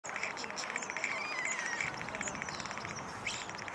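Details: A common starling at a restaurant, waiting to raid a table, sings a busy jumble of thin whistles, including a slurred rising-and-falling note, mixed with rapid clicks, over steady background chatter.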